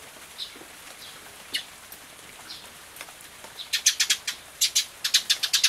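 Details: Tree Sparrows visiting a feeding spot on a rainy day, recorded June 24, 2013 with an Everio camcorder: scattered faint chirps, then a rapid burst of sharp, high, short chirps tumbling out irregularly toward the end.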